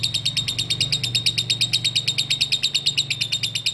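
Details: Lovebird performing ngekek konslet, a continuous, fast, even chatter of bright high notes repeated about three times a second without a break, over a low background hum.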